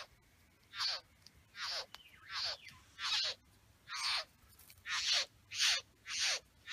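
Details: Male satin bowerbird in his bower with females, giving loud harsh buzzy rasping calls, each about half a second long and sliding downward, roughly nine in a row at irregular intervals, with a quiet background.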